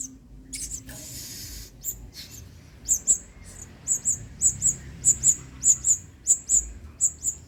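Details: Adult male blue-crowned hanging parrot in vigorous 'main singa' song, a model for training other birds: a rustling start, then a steady run of paired, very high, sharp squeaky notes repeated roughly twice a second, with a low background hum.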